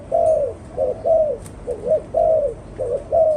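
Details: Spotted dove cooing: soft, low hooting coos in short phrases, each note slightly falling, repeated about once a second.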